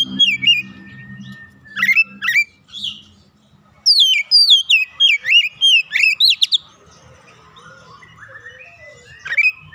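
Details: Untrained oriental magpie-robin in full active song, unloading its learned fill: a few sliding whistles, then a fast string of bright downslurred and upswept notes between four and six seconds, followed by quieter, softer fragments.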